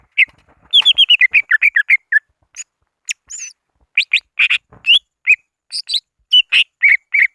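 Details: Greater green leafbird calling to rivals, used as a trapping lure: rapid series of sharp whistled chips and slurred notes, bursts of quick notes followed by spaced single calls.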